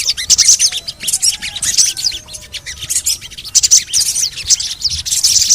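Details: Crimson sunbird (sogon), used as a lure to get other sogon birds to sing. Rapid, very high, sharp chirps and twitters come in dense bursts of about half a second, almost without pause, over a faint low background hum.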